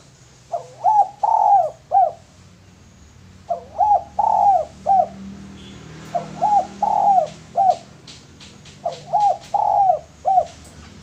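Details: A male spotted dove, fit for luring, repeats its soft cooing phrase four times at roughly three-second intervals, each phrase short hollow notes framing one long sustained coo.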